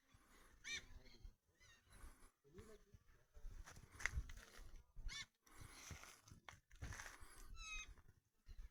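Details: White-naped jay making noise: a few loud, harsh calls with stacked harmonics, spaced a few seconds apart, over rumbling low background noise and handling sounds.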